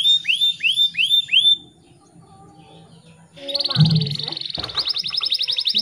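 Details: Canary song played in the morning to coax stressed or non-singing canaries back into song: a series of looping down-slurred whistles, a quiet gap with a faint low murmur, then sustained rapid high trills.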